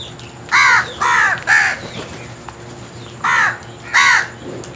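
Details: Crows calling in a series of rasping caws, three quick ones followed by a pause and then two more, with faint small-bird chirps behind.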